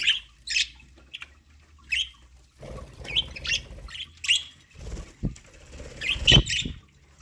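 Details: ['Pet budgies at a corn meal utter scattered short chirps between rustling, low thumps and fluttering noises, with a faint steady hum behind.']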